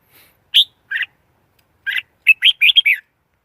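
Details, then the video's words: Red-whiskered bulbul song: scattered bright chirped notes, then a quick run of five or six warbled phrases near the end, over a silent background. "Tiếng chim chào mào"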